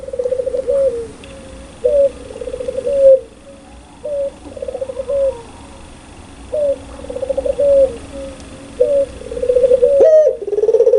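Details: Loud, clear cooing of a puter pelung ringneck dove: repeated phrases of a sharp rising note and a long, slightly falling coo, grouped in bursts with short pauses, ending on a louder, thicker coo.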